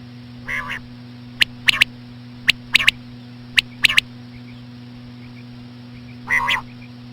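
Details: Common quail calling with slow female sounds to attract quail: a nasal buzzy call, then three clipped triple-note phrases about a second apart, another nasal call at the end, over a steady hum.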